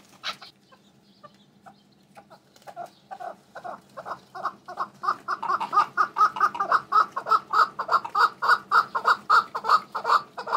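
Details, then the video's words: A hatched male red-billed partridge starting with scattered soft clicks, then building into a long, steady series of rapid, even chattering notes, roughly three per second, growing louder throughout. "A red billed partridge that I hatched"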